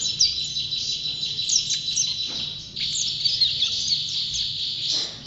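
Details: White-eye (pleci), a champion bird, singing prolifically: rapid high twittered chirps and slurred notes in two long bursts, with a brief dip in activity near the middle.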